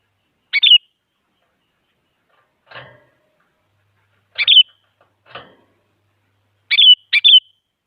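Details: Sooty-headed bulbul, a female calling a male, used to prompt silent bulbuls to sing: short phrases of a harsh onset sliding into a falling whistle, some doubled, with two soft rustling noises between them.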